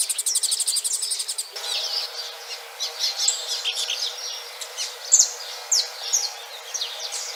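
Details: Female double-collared seedeater in breeding condition, in the wild, being mated. High, sharp chirps and short buzzy notes come in scattered bursts, opening with a fast rapid pulsed trill; several overlapping high calls throughout.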